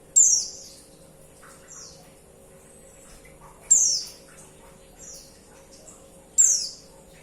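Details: Three sharp, high-pitched calls from a female white-eye calling the male, each dropping steeply in pitch, roughly three seconds apart, with quieter thin notes scattered between them.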